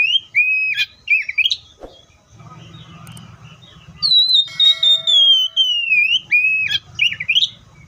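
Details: Oriental magpie-robin singing loud whistled phrases with sharp upward flicks and a long gently falling whistle, the phrases separated by a stretch of low background rumble.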